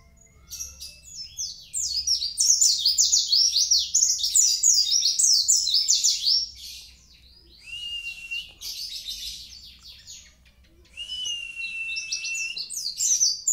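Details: Long, fast outpouring of high, sweet twitters and warbles from a Kintamani mountain white-eye in 'gacor' song. Two steady whistled notes break up the torrent later, with a quieter gap between phrases.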